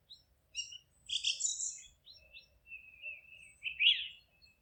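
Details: Chirping forest birds: quick high twitters and a dense scratchy phrase, followed by a drawn-out thin whistle and a loud, sharp descending note, over faint low background rumble.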